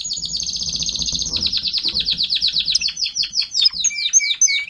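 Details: Timbrado canary tutor singer, caged, teaching juveniles, 2021: a long even rolling trill of rapid repeated notes that slows into separate falling chirps and sharp whistled slides.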